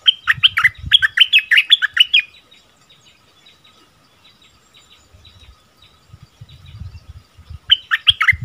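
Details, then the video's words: Bulbul singing double-style phrases in February 2021: a two-second run of rich, bubbling whistles, faint high chips in the gap with low thumping noise, then the song resumes briefly. "เสียงต่อนกดอกแตงEp.33เสียงใหม่ล่าสุด เปิดดอกเพลงเบิ้ลน่าฟังSuara merbah lekir"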